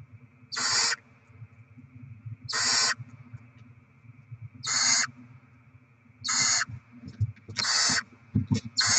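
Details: Barn owls at the nest receiving rodent deliveries, 7 February 2024: harsh hiss-screeches roughly every two seconds, quickening near the end, with knocking and scuffling below a steady hum.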